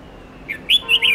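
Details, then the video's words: Red-whiskered bulbul song used for training young birds to learn multi-note songs: a short phrase of clear whistled notes, one soft note then three loud bright notes close together, over a quiet background. "Luyện chào mào Hót Nhiều Giọng âm 7-8-9-10 cực dài/Ép chào mào non,má trắng học giọng hiệu quả"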